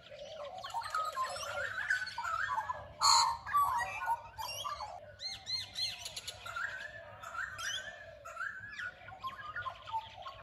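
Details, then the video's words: Early-morning dawn chorus around 6am in an Australian suburban street, with Australian magpies, grey and Indian mynas, turtle doves, crows and rainbow lorikeets: overlapping whistled phrases, sharp chirps, a brief loud squawk and mellow warbling throughout. "crazy Aussie early morning bird calls"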